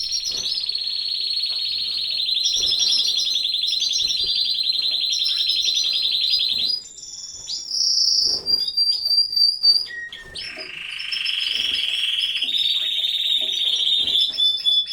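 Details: Caged canaries in a breeding aviary: a loud, sustained rolling trill held steady for about six seconds, then sharp whistled slides and a second long, lower rolling trill, with other birds chirping faintly behind.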